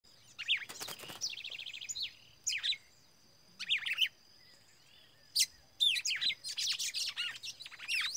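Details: Red-cowled cardinal singing in the biritinho style: bursts of bright, high chirps and quick twittering phrases, separated by short pauses, over a steady thin high-pitched background tone.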